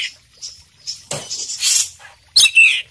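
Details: Oriental magpie-robin (kacer poci) singing in lively gacor style with full isian, heard as scattered short harsh chirps and bright high notes separated by brief pauses, with a couple of louder sharp bursts near the end.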